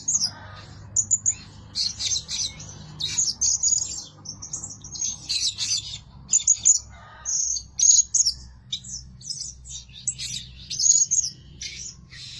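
Blue-crowned hanging parrot giving thin, shrill, very high squeaky notes in quick bursts, one or two each second, over a faint low hum.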